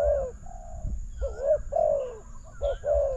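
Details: Spotted dove calling to a decoy at a newly set trap: hoarse cooing with one long even note and then paired short-and-long falling coos, over a faint higher whistle and a low hum.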